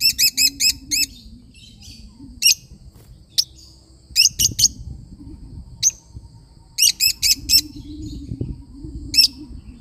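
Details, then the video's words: Lovebird parrot singing in quick bursts of four or five shrill, high chirps, with a low droning hum and some muffled rumbling in the background. "love bird singing sound"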